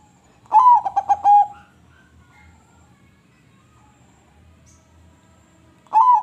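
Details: A crossbred zebra dove's melodious coo: a rising first note, a run of rapid throaty pulses and a held final tone. After a long pause the next phrase begins. Background otherwise quiet.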